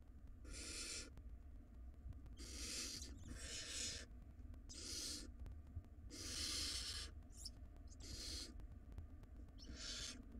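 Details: Wild barn owl nestlings in a nest box fighting in a tug-of-war over a very large rodent. Repeated harsh, broadband screeching hisses of uneven length, several in quick succession, over a constant low hum and faint knocking.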